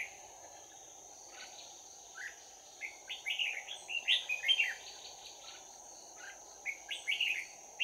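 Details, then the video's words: Fighting song of a trapped decoy red-whiskered bulbul: a few scattered chirps build into a dense run of lively whistled notes, then a shorter burst near the end, over a constant high-pitched hum. "Bẫy chào mào Giọng chuông đấu giáp lá cà"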